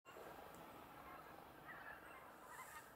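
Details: Common cranes (Grus grus) at Ljubljansko barje, Slovenia, on 31 December 2021, distant, giving rolling, trumpeting honks that blend into a steady chorus, with a few clearer bugles near the end over a constant background hiss.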